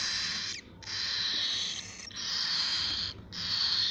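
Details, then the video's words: Cockatiel chicks producing long raspy hissing calls, each lasting about a second, separated by short gaps, repeated steadily. "فراخ طيور الكوكتيل"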